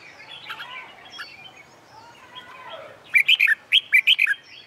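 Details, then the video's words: Red-whiskered bulbul singing contest-style song on a summer day in midday sun, used to train and rouse other bulbuls. Faint, murmuring background chatter gives way to one loud burst of six or seven quick, sweet whistled notes near the end. "LUYỆN CHÀO MÀO HÓT ĐẤU/ CHIM CHÀO MÀO HÓT GIỮA NẮNG NGÀY HÈ/ CHÀO MÀO HÓT KÍCH CHIM MỘC SỔ GIỌNG HÓT"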